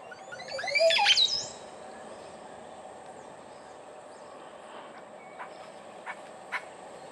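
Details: Montezuma oropendola in Costa Rica gives its liquid mating call, one loud gurgling burst of bubbling, sweeping notes tumbling like a waterfall for about a second, then steady insect hum and faint ticks.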